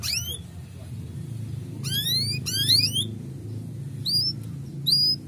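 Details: Male canary chirping, played to stir breeding readiness in young canaries: rising whistled sweeps with bright overtones, single or in quick pairs, spaced over several seconds above a low steady hum.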